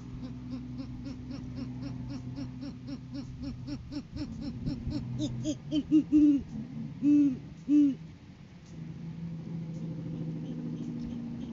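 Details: Great horned owls in pre-season courtship on 7 January 2023, male bringing prey to the female. A long steady train of soft, regular low notes runs for seconds, ending in three strong, deep, prolonged hoots.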